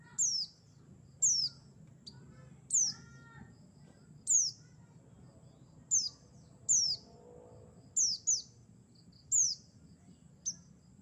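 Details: Mountain white-eye (buxtoni) calling as a trapping lure: about a dozen high, thin downslurred notes over eleven seconds, mostly single at irregular gaps of about a second, with some doubled notes and faint chirps lower down.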